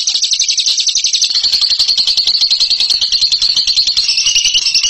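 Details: Champion bird in ngekek style: a long, unbroken, high buzzing trill of very fast repeated notes that holds steady across five seconds and dips slightly lower near the end.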